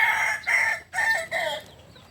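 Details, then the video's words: Native Solok rooster of the Kukuak Balenggek breed crowing in about four close, loud syllables, each broad and harmonic with a dip between them, the last gliding downward and fading out. "Ayam kukuak balenggek ayam asli solok"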